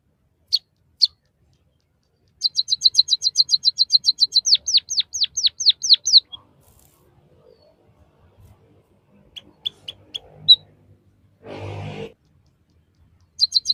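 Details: Tutor song for captive birds from a white-headed munia: two isolated sharp notes, then a fast high trill merging into falling whistled slurs, scattered chips later, with a brief burst of rustling noise.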